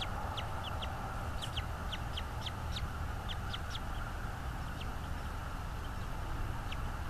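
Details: Bald eagle at a North East Florida nest, nest camera, 24 January 2022, 16:40; a long run of high, squeaky piping chirps, delivered in quick bursts then fading into sparser notes, over steady low background hum.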